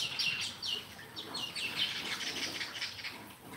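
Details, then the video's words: Sparrow chirps: quick high notes repeated in an irregular stream, a few clearer downslurred chirps standing out over a soft background chatter. "Sparrow Live 3"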